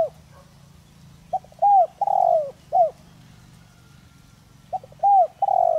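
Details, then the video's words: Spotted dove used as a decoy to provoke wild doves into calling, with a full, rich 'giọng đồng rặc' voice style. Two cooing phrases, each of short clipped notes rising into a long, drawn-out, falling coo, over a low background hum. "Chim cu gáy Giọng Đồng Rặc kích bổi nhanh nổi/cu gáy mồi cây kích bổi nhanh gáy"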